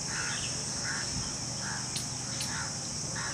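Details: A family of Jungle babblers moving between tree branches on 22 June 2021 give harsh, nasal squawks, about one every two-thirds of a second, over a steady high insect hiss and low background rumble.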